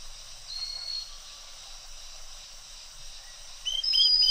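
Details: Pygmy cupwing (Pnoepyga pusilla) calling on Fraser's Hill, Malaysia, giving thin, high whistled notes, faint early on and clearer at the end, over a steady hiss of insects.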